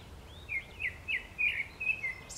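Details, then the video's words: Brown-eared bulbul in spring: a run of short slurred notes around the same pitch, each bending down, given about every third of a second in a steady string, with soft background hiss. "직박구리 소리 봄철 새소리"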